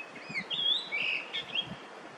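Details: In early May 2024 in Korea, a yellow-billed grosbeak gives a lilting song of rapid whistled slurs and a fuller warbled note, with light low rumble in the background.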